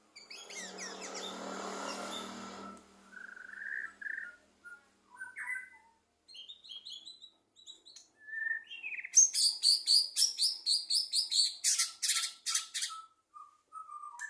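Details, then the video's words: White-rumped shama at a 2023 songbird competition, singing in trotol style: a buzzy burst, then varied clear whistles and slurred notes, followed by a rapid staccato run of high repeated notes, ending in low whistles. "murai batu lepas trotol 2023"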